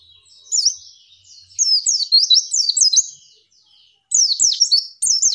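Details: Female white-eye in a tutor recording meant to get birds singing: bursts of high, sharp chirps with quick rising and falling slurred notes, a pause near four seconds, then another rapid chirping run.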